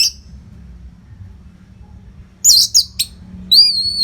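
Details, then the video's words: Orange-headed thrush song as non-stop masteran training material for contest birds: after a quiet stretch, a dense scratchy burst of high notes, followed by a clear, sustained whistled note with harmonics. "SUARA MASTERAN ANIS MERAH GACOR RAPET NO JEDA"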